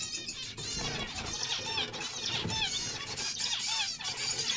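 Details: Overlapping buzzy, nasal zebra finch notes with repeated short downward-curving tones, a continuous busy chorus.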